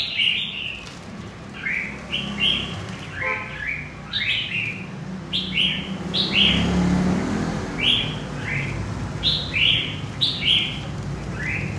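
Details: A wild-caught red-whiskered bulbul from central Vietnam gives bright, bubbly chirped phrases of two or three quick slurred notes, repeated every second or so, over a low traffic rumble.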